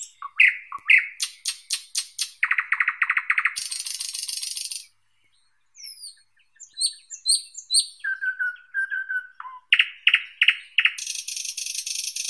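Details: Thrush nightingale (Luscinia luscinia) delivering a rich, varied song: rapid clicking strokes, a rolling low chook-chook series, a harsh buzzy rattle, then after a brief pause high slurred whistles, a piping trill and another dry rattle.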